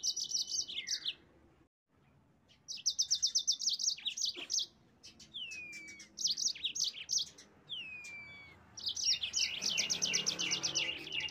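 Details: Yellow-fronted canary in vigorous song to spur rivals: fast rattling trills of even high notes, short pauses, two downward-sweeping whistles, then a dense final run of chirps.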